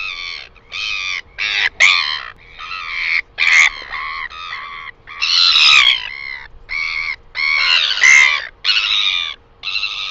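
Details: Northern royal albatross recorded in New Zealand on 12 08 2020, giving harsh, raucous, braying bursts, about a dozen in ten seconds at an uneven pace, over a faint steady hum.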